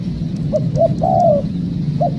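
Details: Spotted dove, a wild bird answering during trapping: two brief notes lead into one long, smooth descending coo, then a single short note follows; low background hum throughout.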